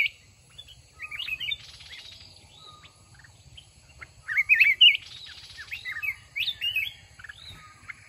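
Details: Mountain red-whiskered bulbul in a decoy fighting trap, its quick, curling whistled notes strongest mid-way, over a steady low hum and scattered softer chirps.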